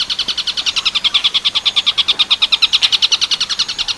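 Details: Long-tailed shrike in tengkek buto werkudoro style, a recording for training other birds. A dense, regular stream of shrill, ringing notes repeats about three times per second and stays strong throughout.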